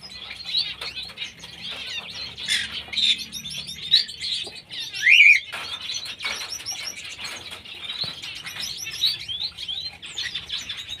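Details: Pineapple green-cheeked conure pair, one giving a loud, sharp, upward-sweeping screech midway, set against a steady bed of dense, high twittering from many birds and brief fluttering sounds.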